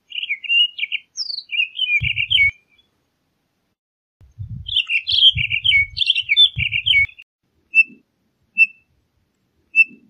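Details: Townsend's solitaire singing two long, rich, fast warbling phrases of tumbling notes, then giving three single, clear, whistled notes about a second apart; low thumping bursts sound beneath the first song phrases.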